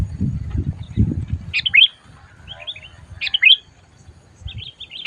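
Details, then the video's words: Sooty-headed bulbul loudly calling while out for trapping; two crisp downslurred chirp phrases about two seconds apart with soft warbled notes after, low rustling at the start. "SUARA BURUNG MACIT DISAAt DIBAWA MIkat"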